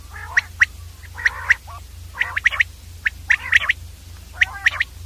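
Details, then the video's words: Common Quail calling clearly: short snappy notes grouped in twos and threes, some preceded by a nasal rasp, repeated about once a second above a steady low hum. "common Quail sound clear audio long 35 Mon/ Batir ki saaf awaz"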